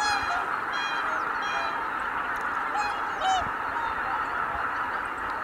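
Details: Greater white-fronted geese lifting off as a flock at Kabukuri-numa marsh, 12 January 2019, with steady massed honking and a few clear, sliding high calls standing out above the chorus.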